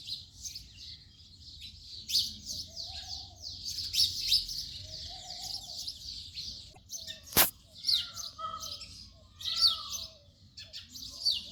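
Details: House sparrow chirps, loose and irregular, some short notes sliding downward, with a single sharp click partway through.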